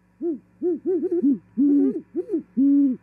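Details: Female great horned owl arriving at a Charlo, Montana osprey nest and mating, January 18, 2021: a run of low, rounded hoots from two birds, overlapping and tumbling together, some notes drawn out longer, roughly one per half second.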